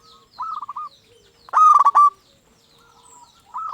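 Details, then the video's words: Zebra dove song for luring other doves: a soft phrase of five quick coos, then a loud distorted rolling phrase, and another starting at the end. "Perkutut Lokal Gacor RAJA PIKAT Ahlinya Bikin Semua Burung Perkutut Gacor Nyaut."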